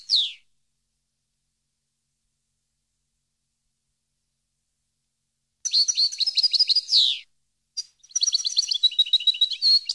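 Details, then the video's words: European goldfinch recorded for training captive birds: one buzzy falling note, a long silence, then a rapid twittering phrase ending in a rasping buzz and a further jingling run of high notes. "CD Canto Para Educar Jilguero"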